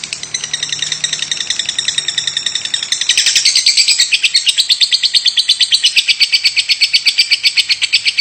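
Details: A lovebird coughing on and on: quick, grating chirps repeated in a tight, regular series, starting quieter and becoming louder and denser halfway through.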